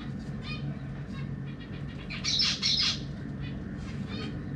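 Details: Caged zebra finch family, parents feeding three juveniles and three newly fledged babies; a loud burst of high, harsh, rapidly repeated chattering calls lasts under a second, with softer scattered chirps before and after over a steady low hum.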